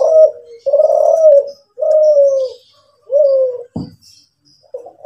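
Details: Kelantan-type spotted dove, a national champion contest bird with a 'kuk 7' song style, giving low, mellow coos of about a second each. A sharp click and brief quieter notes follow near the end.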